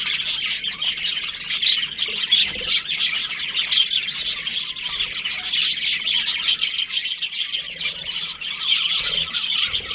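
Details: Budgerigar flock during breeding season keeping up a loud, even chorus of sharp chirps and chattering squawks from many birds throughout.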